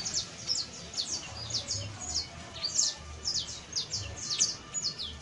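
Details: A saffron finch (Sicalis flaveola) sings a quick, uneven run of high, sharp chirps, each note slurring downward, over a faint low hum.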